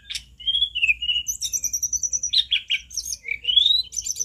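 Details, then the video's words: A loud snowy-browed flycatcher, called mountain tledekan, sings thin whistled phrases that alternately slide up and down, with quick high twittering runs and sharp squeaky notes packed closely together. "Masteran tledekan gunung paling lantang"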